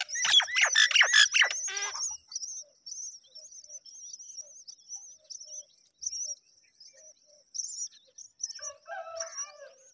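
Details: Myna chicks calling at feeding time: a loud two-second burst of harsh, rasping squawks, then faint high chirps and soft twitters repeated through the quieter remainder.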